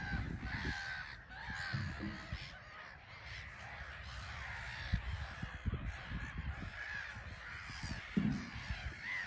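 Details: Busy Black-headed gull colony on a small island at RSPB Frampton Marsh, birds landing and taking off; repeated harsh squawks from many gulls, with intermittent low thumps and rumbling beneath.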